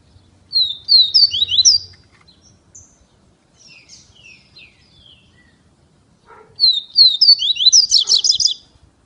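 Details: Caged Double-collared seedeater, Feira de Santana, Brazil: two bursts of fast, high chirping whistles about six seconds apart, the second ending in a dense buzzy flourish, with soft quieter notes in between.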